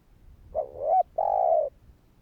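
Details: Spotted dove, calling so that other doves will reply, utters one low mellow phrase: a brief upward note, then a sustained smooth coo lasting about half a second.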